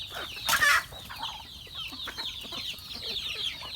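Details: Chickens at feeding time on a farm: a loud, harsh burst opens, then many quick, high, downslurred chirps overlap, mixed with a few soft lower clucks.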